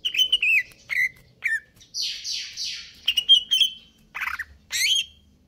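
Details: Greater green leafbird in kejer nembak song: a lively string of varied whistles, a few rising and a few falling, then three hoarse swept rasps, followed by more ringing and twisting notes in quick succession.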